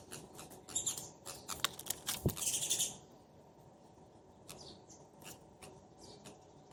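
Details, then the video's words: Two sparrows, a pair, calling back and forth: a quick burst of sharp chirps and chatter for three seconds, then sparse, softer chirps spaced out in the quiet. "Sparrow Pair Speaking Each Other"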